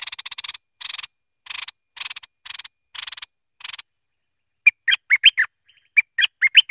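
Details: Bulbul, locally merbah lekir or kuning, gives a regular run of buzzy rasping bursts, then switches to a phrase of bright, quick, whistled chirps.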